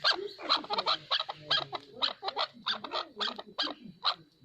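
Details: A chukar partridge gives its natural call, a series of bright, clipped chuk notes at roughly even intervals of about half a second, fading toward the end.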